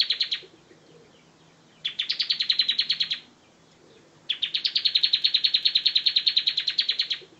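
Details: Tutor recording of a bar-winged prinia's ngebren song: three bursts of quick, high, evenly spaced chipping notes, a short one, a medium one, then a longer run, separated by quiet gaps.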